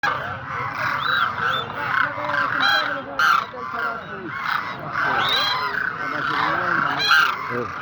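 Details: Demoiselle cranes, known locally as koonj, calling together in a group. Overlapping harsh, honking, rolling calls rise and fall continuously with no pause, some notes arching upward in pitch, over a steady background hiss.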